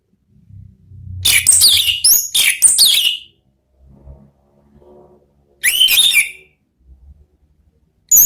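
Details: Orange-headed thrush singing in the loud ngeplong style, used to provoke other thrushes into song: two dense bursts of rich, rapid, slurred whistles and sharp high notes, the first about two seconds long, separated by a faint low rumble.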